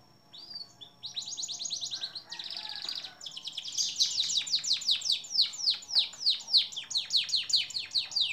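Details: Canary singing for songbird training: a fast rattling trill, a brief buzzy burst, then a long loud sequence of sharp descending notes repeated about twice per second.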